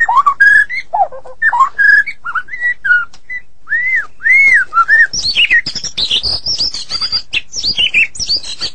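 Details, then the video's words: White-rumped shama of the Medan type singing in full, vigorous 'gacor' style: clear whistled phrases arching around mid pitch, then a rush of higher, quicker twittering and sliding notes, nearly continuous. "Murai Batu Medan Super Gacor"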